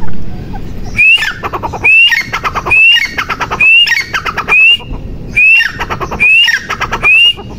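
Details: Female grey francolin voice: eight rhythmic phrases, each a sharp upslurred whistle followed by a clattering run of harsh notes. The phrases are spaced about 0.8 seconds apart over a quiet low background.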